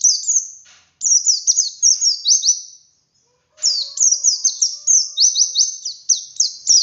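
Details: White-eye singing in ngalas style with wit-wit variation, meant to stimulate captive birds: a high phrase of rapid falling notes, a pause, then a long, continuous chattering run of quick whistled notes.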